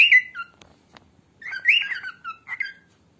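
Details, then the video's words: Female cockatiel, recorded for training cockatiels, whistles in quick slurred chirps. Two bursts of rising and falling notes are separated by a short pause, with faint clicks in between. "som de calopsita fêmea voz de calopsita calopsita canta Assobio de Calopsitas"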